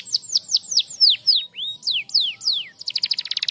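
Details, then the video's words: Canary song meant to get silent canaries singing again: a series of loud whistled notes sweeping steeply down, spaced about a quarter second apart, ending in a rapid buzzy trill of repeated short notes. "Masteran Kenari StarBlue Gacor l Burung Kenari Macet Cepat Gacor Lagi"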